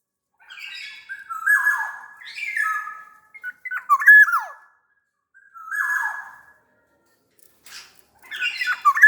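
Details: A very vocal black-naped oriole from Sumbawa gives harsh, squawking calls mixed with mellow down-slurred whistles, the phrases coming in quick succession with brief silences between them.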